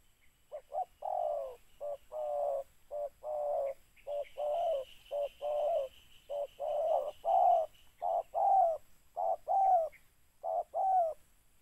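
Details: Spotted dove, recorded while trapping birds by mikat, calling continuously in rapid short and long coos, roughly a note every half second; a faint high steady tone runs through the middle.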